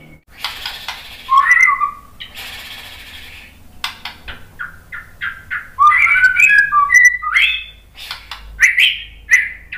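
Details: White-rumped shama song with bursts of noisy rasping notes followed by bright whistled slurs and short clipped phrases, varied and rapid, with quieter gaps between.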